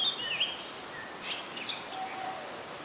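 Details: Adult Red-whiskered Bulbul recorded in Ubon Ratchathani, Thailand, on 31 December 2020: short whistled notes, a bright sliding phrase at the start, then a few scattered clear notes over a quiet rural background hiss.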